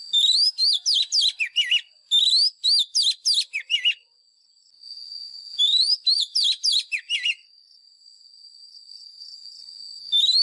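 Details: White-rumped shama lure song for training caged birds: three fast bursts of rich whistles and twittering notes, each about two seconds, separated by short pauses filled with a steady high whine.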